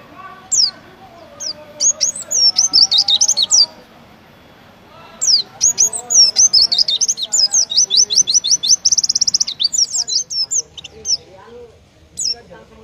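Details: Oriental white-eye kept for song competitions, singing the style judges prefer: short high chirps, then long runs of fast, high, sweet twittering and buzzy trills, with lower faint murmuring sounds in the background between phrases.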